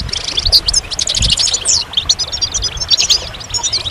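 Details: Brief burst of goldfinch song, quick high twitters and sliding chirps tumbling one after another without pause.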